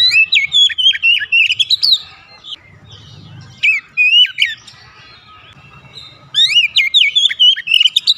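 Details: Kacer, the Oriental magpie-robin, in a singing-therapy recording: sliding whistled phrases and sharp chips in three bursts with gaps, steady low hum in the background.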